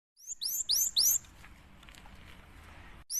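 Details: Cinereous tit in full song, used as a lure to make other birds sing: a quick burst of three or four very high, sharply falling chirps, then quiet background hiss and one more high note at the end.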